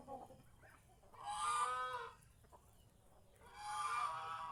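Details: Geese kept at home, roaming the fields around the house: two drawn-out nasal honks about two seconds apart, with a faint short chirp just before the first.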